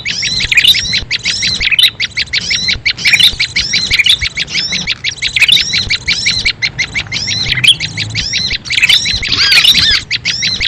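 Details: Small birds' calls used as a lure to attract small birds: dense, rapid chirps and buzzy, looping high notes in quick bursts, nearly continuous for the whole stretch, with a faint low rumble underneath.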